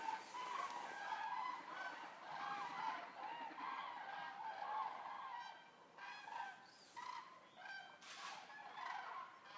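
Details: About 200 Eurasian common cranes arriving and resting at the stork centre in Racconigi, Italy. The flock keeps up a dense chorus of overlapping trumpeting, rolling calls with no break.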